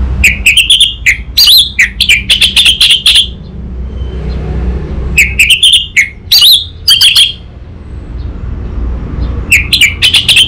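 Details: Orange-headed thrush from Singaraja, Bali, singing as a master recording for a young bird: dense streams of fast, sharp whistled and chirping notes in three bursts, with a brief lull and steady low background noise.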